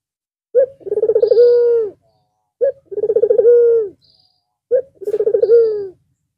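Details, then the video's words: A Barbary dove, white with red eyes, sings again after resting through the long Eid al-Fitr holiday. Three evenly spaced coos, each opening with a clipped note, then a bubbling pulsed roll that stretches into a smooth, sinking tone. "Puter Putih Mata Merah Manggung Lagi Setelah istirahat sekian Lama"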